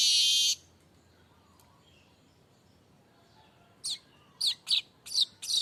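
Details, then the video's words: Streaked weaver: a short harsh buzz, a quiet pause, then a cluster of sharp, rising chirps repeated quickly. "Kicau burung_manyar gacor tanpa henti"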